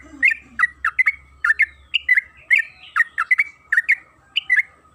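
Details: A yellow-vented bulbul of the trucukan kebo type gives lively, chattering song that is used as a lure to get other birds singing. Short bubbly notes rise and fall in quick clusters, with brief pauses between phrases.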